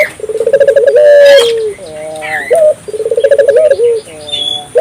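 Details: Vigorously calling African collared dove, used to prompt local doves to join in: a fast rolling trill of pulses running into a drawn-out coo, twice, separated by short wavering notes, with faint twittering of other birds.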